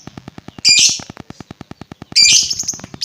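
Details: Lovebird sound used to agitate other lovebirds: a pair of piercing, buzzy high screeches, each about half a second long, separated by a pause filled with a regular fast clicking pulse.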